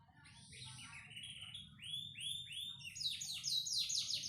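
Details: Panda canary song with a few arched, slurred whistles that step downward, followed by a fast, insistent high trill of repeated notes.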